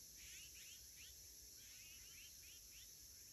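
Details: On 27 August 2021, flying azure-winged magpies give brisk, squeaky rising calls, often in quick pairs, spaced irregularly across a few seconds beneath a continuous high-pitched insect chorus.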